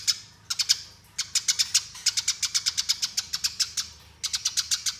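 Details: Rolling fighting chatter of a Eurasian tree sparrow, used as training master: quick successions of harsh, high-pitched chirps in steady rattles of about ten notes, broken by short silences.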